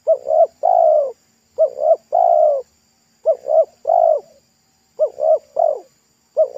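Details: Local spotted dove singing at a roadside during an attempt to lure and trap it, its pesom-style voice thick and loud. Phrases of two clipped coos and one drawn-out rolling coo recur at roughly 1.5-second intervals.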